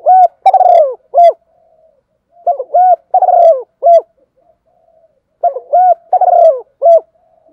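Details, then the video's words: Female spotted dove cooing, played as a lure in rainy, windy weather to make decoy males call. Three bursts of low, hollow coos, each of several quick notes ending in a longer drawn coo, spaced about every three seconds. "Mưa gió thế này mồi với bổi không chịu gáy thì chỉ có mở tiếng cu gáy mái này nó mới gáy thôi ae"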